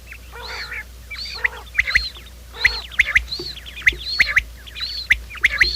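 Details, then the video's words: Quail lure recording for morning trapping: high arching whistles alternate rhythmically with nasal harmonic notes and sharp clicking ticks, about one phrase each second, several birds overlapping. "quail sound"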